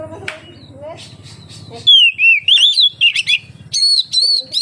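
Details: Oriental magpie-robin song used as a lure to get other magpie-robins singing: after a murmur of low background noise, loud whistled phrases swoop up and down, then clear sliding notes repeat in quick succession.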